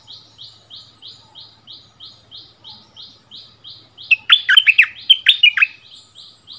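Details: Bulbul duel with a resident territory holder, 3 February 2021, decoy bird back at its old site; a steady series of short buzzy notes repeats about three times a second, then a loud burst of rich, warbling whistled phrases breaks in.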